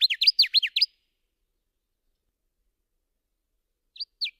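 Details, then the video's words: Subalpine warbler (Sylvia cantillans) song: a brief flurry of fast, high, down-slurred chirps lasting under a second, then silence, then a few more scattered notes at the end. "Canto da AveToutinegra carrasqueira (Sylvia cantillans)"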